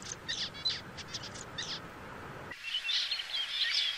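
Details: Zebra finch song: bursts of short, nasal, buzzy chirps and trills, high-pitched and stacked, given in quick irregular runs. After a sudden cut, a thinner series of sharp, whistled high notes follows over faint background hiss.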